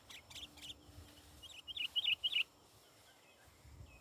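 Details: Sooty-headed bulbul, described as an actively singing lure bird: a few soft scattered notes, then a quick burst of four bright, bubbly chirped notes packed into half a second, over a faint low rumble.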